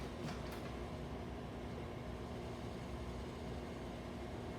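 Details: Low, continuous rumble of a train or other vehicle with a faint steady hum and two brief clicks near the start; no animal voices are heard.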